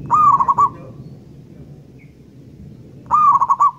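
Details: Local wild zebra dove singing lively as a lure: two bursts of rapid, rolling, stuttered coos about three seconds apart, quiet in between.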